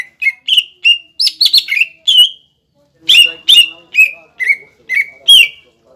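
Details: Lure song of a captive greater green leafbird, used to make young and fledgling birds sing: loud, clear whistled notes with downward slurs delivered in two phrases separated by a short silence.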